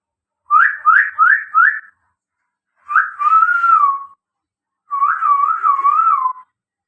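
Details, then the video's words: ['Indoor pet talking Common Hill Myna whistling to its owner: four quick, rising whistled notes in a row, a pause, then two longer wavering whistles that dip and swoop up and down.'] "কথা বলা ময়না পাখি"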